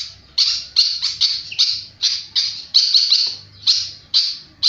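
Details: Flycatcher singing energetically, producing a rapid, almost continuous run of loud, scratchy chirps, several per second, with a soft low hum underneath.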